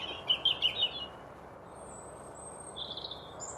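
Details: A European robin on the 5 Pits Trail, Chesterfield, Derbyshire, UK, singing to hold his territory: a quick, high, tinkling warbled phrase, then a thinner, fainter one, over a steady hiss of wind or distant traffic.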